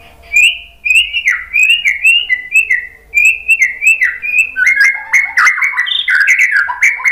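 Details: White-rumped shama song used to provoke another bird into singing: a steady series of loud whistled phrases, each a short upward then falling slur, repeated about twice a second, turning more varied and richer toward the end.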